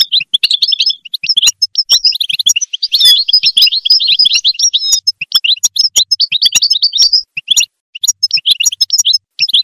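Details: Motivational European goldfinch song, a nearly continuous stream of fast tinkling trills and buzzy twitters, busiest around the middle, with scattered sharp clicks and short breaks near the end.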